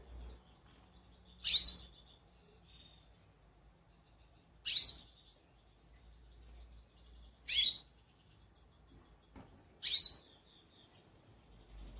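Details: Calling goldfinch: four sharp, high chirps repeated roughly every three seconds against a quiet background with a soft low hum.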